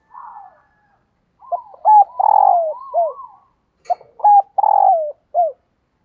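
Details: Female red collared dove calling to stimulate males; a run of short, hoarse purring coos with downward-sliding endings, delivered in two clustered phrases separated by a brief pause, with no other sounds.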